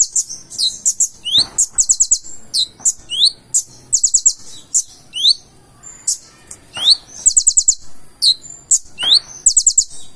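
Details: Purple-throated sunbird pouring out a continuous, elaborate song: piercing high chips, upward-sweeping whistles and fast trills of four to six ticks, with phrases following each other closely for ten seconds.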